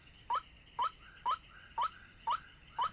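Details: White-breasted waterhen recording for bird trapping, six quick rising notes at an even half-second pace, each slurring upward, over a steady high electronic tone.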